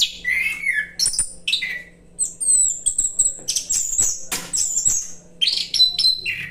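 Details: Orange-headed thrush (anis kembang) singing in the relaxed 'roll santai' style: quick, varied phrases of high, sharp whistles and slurred notes, some falling, delivered in bursts with brief pauses, plus a faint steady low hum.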